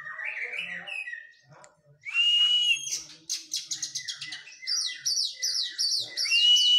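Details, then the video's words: Oriental magpie-robin after moulting, in a training session: a rich varied song opening with warbled notes, then a long clear whistle followed by rapid repeated high downslurred notes and chattering phrases in a fast busy sequence. "KACER PRO HYPER LATIHAN FISIK PASKA MABUNG"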